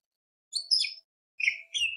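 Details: Greater green leafbird, a lure recording meant to excite other birds: two short bursts of high, rich, slurred whistles and chattering notes with a silent gap between.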